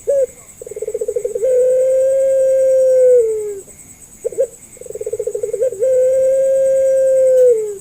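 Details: Barbary dove of the pelung type, kept as a lure for doves that rarely call or are learning: a rolling, bubbling trill leads into a long, steady hollow note that slides down at the end, given twice with a short gap and faint high hiss.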